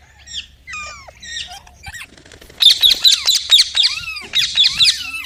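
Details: A parrot starts with soft stuttering chirps, then breaks into loud, grating rhythmic shrieks mixed with down-sliding whistles, repeated roughly twice a second.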